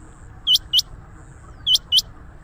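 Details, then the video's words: Trapping lure call of rain quail, the chinga batair: two crisp, high, clipped notes in quick succession, then a pause, then another matching pair, with low hum beneath. "Rain Quail sound 2025,Chinga batair ki awaz"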